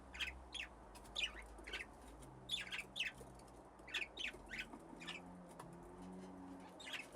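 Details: Aviary budgerigars with nesting boxes, in a flock that grew from two pairs, give short sharp chirps. The chirps repeat irregularly about two each second over a low droning background hum.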